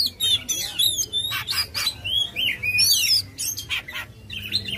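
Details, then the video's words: An Oriental magpie-robin (kacer) sings aggressively, tail opened, as a lure for a reluctant singer. Rapid chattering notes, sweeping whistles and rasping bursts tumble together at a fast, uneven pace. "Suara Kacer Gacor agresif buka ekor Ampuh buat bikin kacer males jadi gacor."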